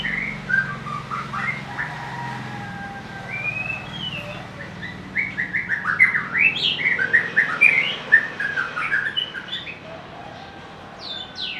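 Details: White-rumped shama, a bird that can mimic other birds, singing a varied, melodious run of clear whistled notes and quick rising and falling phrases. The phrases grow denser and louder midway, over a low steady hum.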